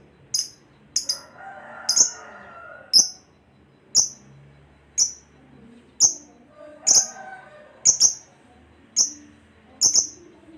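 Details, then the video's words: Caged lovebird, in a 'full bass' recording used to train pet birds every day: sharp, piercing single or double chirps about once a second, with faint low chatter in the background. "Suara Lovebird Full Bass"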